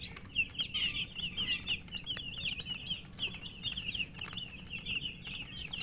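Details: Feeding chicks of the domestic chicken give fast, high-pitched chirps in an unbroken overlapping flock chorus, with brief clicking noises mixed in.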